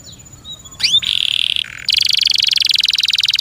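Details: Kept canary singing: a few thin slurred whistles and upswept notes, a steady buzzy tone, then a long rapid rattling trill of rhythmic pulses.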